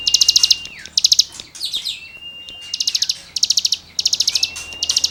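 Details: Cigun singing as tutoring material for songbirds: short bursts of rapid, buzzy, rattling high notes, each about half a second, alternating with thin whistled slides that glide and drop.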